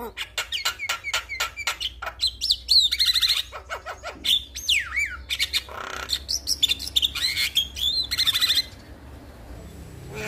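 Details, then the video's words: A male Javan myna sings nonstop to set other mynas singing: dense bursts of harsh rasping notes, trilled whistles and a sweeping down-slurred whistle, then the song stops and only faint background remains near the end. "Suara Jalak Kebo Jantan Gacor Bikin Burung jalak yang Dengar Ikut Buka Suara"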